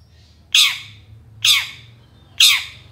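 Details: Long-tailed shrike recording meant to provoke other shrikes into song: three harsh, grating squawks, each a loud burst fading away, roughly once a second.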